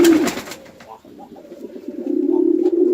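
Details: A pigeon fighting on a Bangladeshi house farm in Chittagong District gives a short low coo, then a soft burbling passage, then a loud, steady humming coo held to the end.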